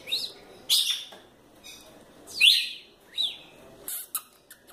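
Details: Female red-cowled cardinal, described as spirited, giving short, sharp, downslurred whistled notes about once a second, each bright and high, interspersed with loud broadband clicking and rustling bursts.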